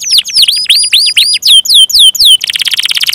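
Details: Canary singing gacor: a handful of loud, clear, swooping whistles, each falling then rising, followed by a rapid buzzy trill.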